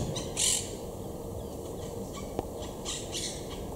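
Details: Wild monk parakeets (Myiopsitta monachus) high in trees at Estepona, southern Spain, in October 2021, while courting and nest-building; one gives a brief harsh squawk, then a few fainter grating notes, over a steady outdoor hum.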